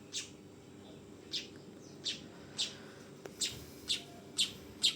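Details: Fledgling weaver uttering scratchy high chirps, nine notes at uneven spacing, growing louder toward the end, with a low continuous hum behind.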